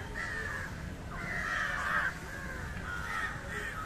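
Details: Grating, drawn-out caws of an Indian jungle crow feeding on fish, one long central call flanked by shorter ones, with faint background noise.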